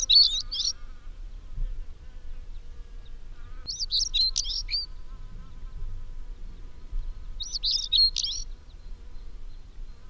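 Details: Stonechat at Parque da Devesa, Vila Nova de Famalicão, Portugal: three short, scratchy, high twittering phrases spaced about four seconds apart, over a faint low hum.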